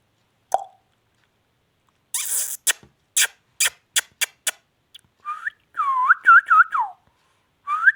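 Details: Indian ringneck parakeet, a pet parrot, makes a run of harsh broadband bursts and then a series of short whistled notes that bend upward in a quiet indoor room.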